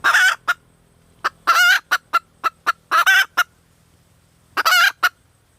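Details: Female red junglefowl giving loud, rough squawking bursts mixed with short, sharp clucks at an uneven pace, about forty notes a minute, against a quiet background.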